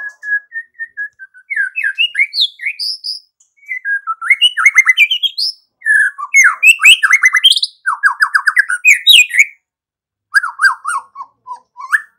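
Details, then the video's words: Varied white-rumped shama song for morning: soft whistled opening notes building into rapid chattering trills, sweeping high whistles and falling note series, with short gaps. "MURAI BATU GACOR || MURAI ANDA LANGSUNG EMOSI"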